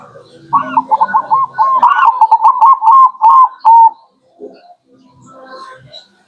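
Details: Zebra dove song played to lure local birds: a long, quickening series of rolling, rising-falling coos ending in a cleaner drawn-out note. It is followed by quieter scattered sounds.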